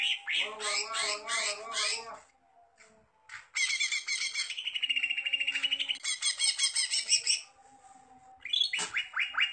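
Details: Greater green leafbird gacor song mixing rich pulsing warbled notes, a long buzzy rattling trill of rapidly repeated harmonic notes, and closing quick downswept whistles.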